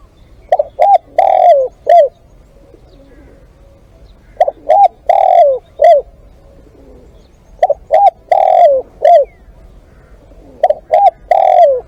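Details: Live decoy spotted dove (ต่อสด) repeating its four-note cooing phrase four times, roughly every three to four seconds. Each phrase has two short coos, a drawn-out falling coo and a closing short coo.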